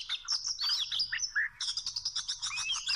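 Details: Wild Oriental magpie-robin near small rope traps gives a brisk run of high chirps and twittering, a short clear slurred whistle midway, then fast even chatter to the end.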